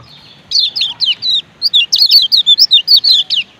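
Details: 'Ciak ciak' call of a male and female lemon-bellied white-eye from Lombok, used to excite other white-eyes into singing: a few spaced squeaky chirps followed by an even rapid string of about a dozen downslurred notes.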